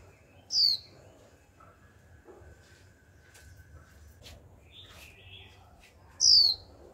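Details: Young female Japanese white-eye uttering its continuous 'chíu' calls meant to set males singing: two piercing, downward-sliding notes about six seconds apart, with faint softer chirps and low background hum between them.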